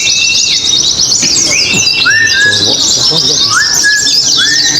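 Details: Contest singing from oriental white-eyes: a busy, high, scratchy warble with short rising whistled notes scattered through it. Many birds overlap and faint voices sound underneath.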